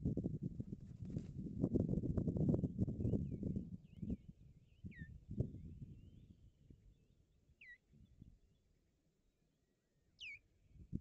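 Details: Visiting stranger osprey at the nest, Barlinek Forest, Poland, 17 April 2022, gives short, high, whistled chirps that slur sharply, spaced a few seconds apart, over heavy low wind rumble.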